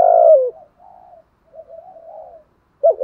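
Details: Spotted dove giving a 'giọng thổ' style call used as a decoy to provoke rival doves: one loud, low hoarse coo that falls in pitch, then soft, faint, drawn-out cooing notes and a final loud coo beginning.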